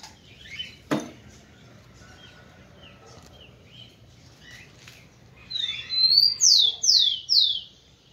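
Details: Rufous-collared sparrow song meant to stimulate females: after several seconds of faint background sounds and a single sharp knock, four loud, high, downward-slurred whistles come in a rapid, evenly spaced series.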